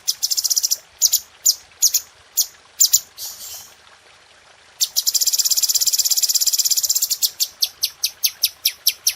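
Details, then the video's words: Red-whiskered bulbul in a masteran training recording for cage birds, sharp dense 'tembakan' shots: bursts of very high, rapid chipping notes, a short pause, then a long fast buzzing trill that breaks into separate repeated notes. "Masteran Cucak Cungko Istimewa | Tembakan Tajam Rapat Suara Jernih"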